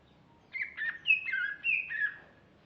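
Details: Brief lively phrase of a female greater green leafbird, five or six quick slurred whistles alternating between higher and lower pitches, with low background noise.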